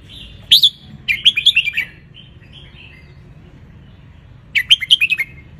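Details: Sun-basking wild red-whiskered bulbul of Ratchaburi type, used to teach young birds to sing. A sharp rising chirp leads into a bubbly string of warbled notes; after a pause comes another quick, lilting phrase.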